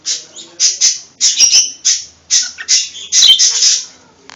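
A cockatiel gives a rapid run of harsh, high chirps and squawks in short bursts.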